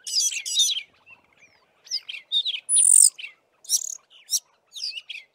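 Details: Fiscal Flycatchers singing together in a valley near Committees Drift, at least four birds with tails fanned; bursts of sharp high chirps broken by short pauses, one clear thin whistle mid-phrase, including some sparrow-like mimicked chirps.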